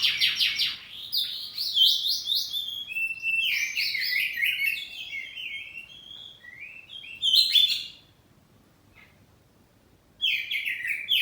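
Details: Home-kept kacer poci oriental magpie-robin in ngeplong back-and-forth singing: a long, varied, warbling run of whistles and chirps, a sharp loud note, about two seconds of silence, then a new burst.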